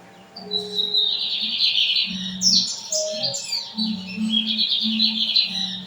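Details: Lined seedeater in São Luís singing torneiro song, a bird that sings all day until the lamp is turned off at night. A sustained buzzy high warble with swooping slurs plays over low humming tones.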